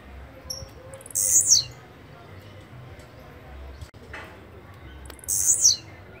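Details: Blue-black grassquit giving two brief, buzzy, high-pitched songs roughly four seconds apart, each falling slightly at the finish, with quiet background between.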